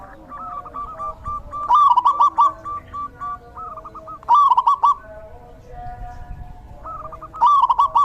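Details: Zebra dove singing in the rainy season: loud bubbly cooing phrases of quick rolling notes, repeated about every two to three seconds, with softer evenly spaced coos from other doves between them.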